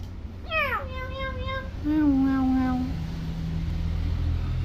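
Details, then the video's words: Tame common hill myna talking, imitating speech with clear vocabulary while playing: a falling nasal word, then a drawn-out harmonic tone and a low steady hum, amid a person repeating words and background hum. "BURUNG BEO JINAK PINTAR NGOMONG"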